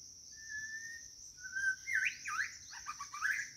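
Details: White-rumped shama calling for a mate: a long steady mid-pitched whistle, then a sliding whistle and a run of swooping, dipping notes and quick chirps, over a constant high insect drone.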